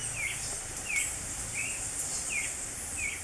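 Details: Creamy-bellied thrush singing in spring: short slurred whistled notes, each rising then falling, repeated about every 0.7 seconds at an even pace over a steady high hiss of insects.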